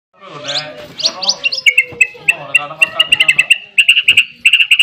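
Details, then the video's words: White-rumped shama (murai batu, Copsychus malabaricus), a "Barbara" type in vigorous song: a few rising, sweet whistles, then a fast run of sharp, repeated chipping notes, with a low voice murmuring at the start. "SUARA MURAI BATU"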